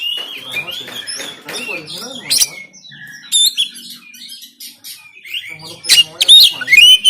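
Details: Oriental magpie-robin in Banten, Android-recorded 'tembakan kasar' singing meant to stir lazy kacer: dense chattering and whistles, a pause with faint notes, then a burst of loud cracks and bright rising whistles.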